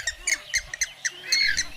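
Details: Grey-headed swamphen (Porphyrio poliocephalus), a resident of Kerala wetlands, marshes and paddy fields, giving harsh, nasal squawks in quick bursts, about four or five per second with gaps, ending in a longer grating note.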